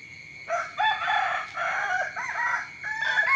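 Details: A rooster crowing in the morning gives a loud, drawn-out cock-a-doodle-doo, harsh and strained, with further crowing overlapping from other birds nearby.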